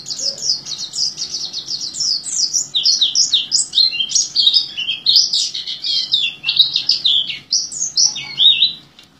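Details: Oriental white-eye delivering a long "gacor teler" song, compared to the orange-headed thrush's teler singing: continuous high, twittering notes tumbling up and down in quick bursts, fading at the end.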